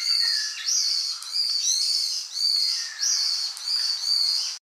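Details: Ryukyu brown-eared bulbul on Miyako Island, Okinawa, Japan: loud, harsh, strident calls in sustained phrases with upward-sliding notes, repeated with brief dips between them.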